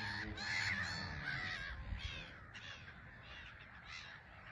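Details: Black-headed gulls at a bustling island colony at RSPB Frampton Marsh, taking off and landing; a dense chorus of harsh, grating cries, several birds at once, over low rumble.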